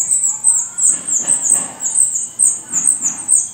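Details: Shrill, high calls pour from a black redstart nest in Portugal, rapid and fairly regular at about three per second, with soft rustles in the background.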